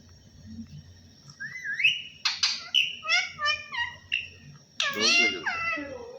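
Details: Parrot talking and imitating the phrase "Allah Hoo", mixing a rising whistle with a quick string of short chattering syllables, then a loud harsh drawn-out squawk near the end, over faint background hum.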